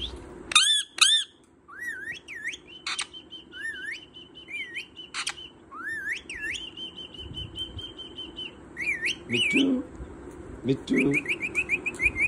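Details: Pet parrot that speaks different words and is eager to learn more: rising whistled swoops and long level whistles mixed with sharp squawks and clicks, ending in a run of quick repeated whistled notes; faint background hum.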